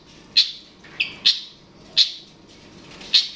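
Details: Long-tailed shrike, known locally as cendet or pentet, used to provoke a rival: four short, harsh, bright notes spaced well apart, roughly one every three quarters of a second.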